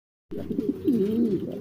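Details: Fancy pigeons from a collection in India: after a short silence, one low, throaty cooing phrase with rolling, wavering tones lasts just over a second.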